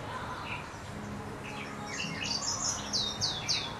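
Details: Green singing finch, also called rock canary, singing high, thin chirps that build into a run of three loud, sweeping downslurred whistles near the end, with softer twittering notes before them over a low background hum.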